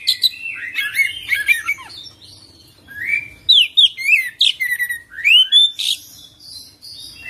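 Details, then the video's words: Energetic 'full isian' singing from an Oriental magpie-robin: dense bursts of whistled slurs, quick repeated chirps and clear rising notes, phrases tumbling one after another with few pauses. "Kacer Full Isian ngerol gacor dorrr"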